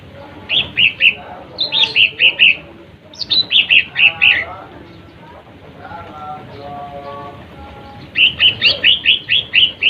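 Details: Lesser green leafbird song used to provoke rival birds: bursts of three to six quick, bright chirped notes, short pauses between bursts, with fainter lower warbling from other birds in the background.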